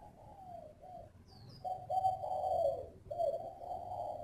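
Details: Spotted dove with a mixed-style voice, kept by a breeder in northern Vietnam: low, hollow coos in drawn-out phrases, one long rolling coo in the middle, with faint high chirps from other birds behind.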